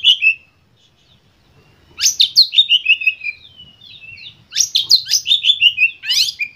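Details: Oriental magpie-robin giving an intense lure song meant to stir other birds into singing: two loud bursts of rapid, sharp, downslurred whistles and buzzy chattering notes, about three per second, separated by a brief quiet gap.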